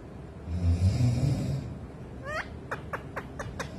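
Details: Pet parrot wooing its owner's foot indoors: after a low rumble, one downward-sweeping call, then a quick run of five or six short, sharp chirps.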